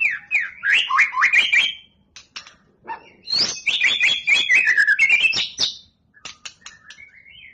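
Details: White-rumped shama singing in preparation for a song contest: bursts of quick rising and falling whistles mixed with sharp clicking notes, in two dense runs separated by short pauses, ending with scattered clicks and a soft whistle.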